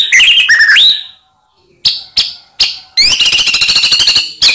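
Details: White-rumped shama lure song meant to provoke silent shamas: slurred whistles, a pause, three sharp chip notes, then a fast high rattling trill.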